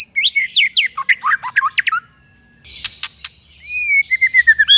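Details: White-rumped shama used for training songbirds: rapid falling whistled notes for two seconds, a pause, a few clicking chips, then a long sliding whistle followed by quick repeated sharp notes.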